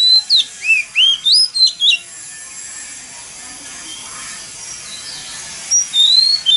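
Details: Oriental magpie-robin lure song, 'mountain forest voice' style, played to prompt other magpie-robins to sing. Eight looping, rising and falling whistles in two seconds, then a steady hiss, and a drawn-out whistle returns near the end.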